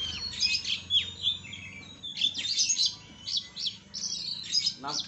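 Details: Oriental magpie-robin performing a masteran song with rich isian mewah fill-ins: a rapid, unbroken run of high whistles, sharp chirps and buzzy notes, densely varied and loud throughout.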